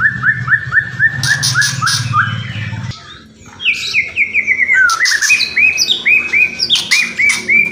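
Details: Kretekan and whistling from a white-rumped shama: a rapid series of short, rising chirped notes repeated several times per second, dropping in pitch mid-phrase, interspersed with bursts of harsh crackling clicks; low hum in the first half.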